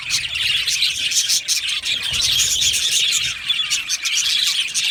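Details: Budgerigar colony kept in an aviary, a thick and even chatter of high, trilling chirps and warbled notes from numerous birds calling together.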